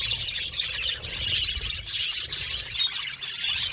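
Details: Colony of budgerigars in an aviary keeping up a busy stream of high-pitched chirps and warbled twitters, several birds overlapping throughout.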